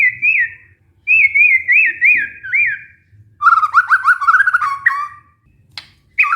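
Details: White-rumped shama song played to coax a stressed caged bird into singing: repeated looping whistled notes, then a faster run of rising slurred notes and short sharp chips.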